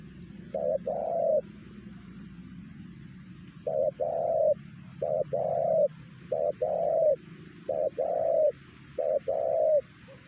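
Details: ["Wild spotted dove in Siosar, singing loudly enough that the trapper's decoy falls quiet and other wild doves do not answer. It gives repeated low coos in pairs, a short note then a longer rolling coo."]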